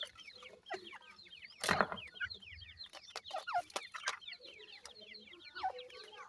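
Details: Iranian francolin chicks chirping continuously in high downslurred notes, one brief loud rustling thump near the start of the run.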